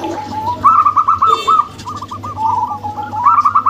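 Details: Zebra doves, a local-type female and a crossbred male, give a run of short, rolling, bubbly coo notes. Two trilled phrases are split by a brief lower pause, over a steady low hum.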